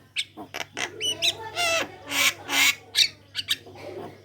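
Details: Javan myna in full song as a lure for other Javan mynas: a jumble of harsh squawks, rasping buzzes and short whistled notes, with a slurred rising whistle near the middle, all close and loud.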